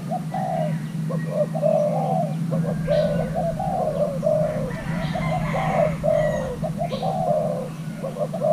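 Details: Thai hybrid spotted dove, a young male during pairing, gives soft repeated coos in short phrased bursts; faint higher chirping notes and a steady low droning hum sit underneath.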